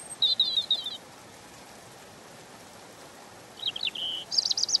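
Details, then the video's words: European robin song: a brief high trill, a long pause, then a sliding phrase ending in a very high shimmering run of notes, over low background hiss. "Ласковое пение Зарянки(малиновки)"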